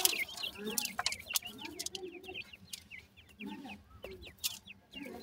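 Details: Several grey francolin chicks utter thin, rising peeps in a continuous patter, with some lower soft notes and clicks underneath.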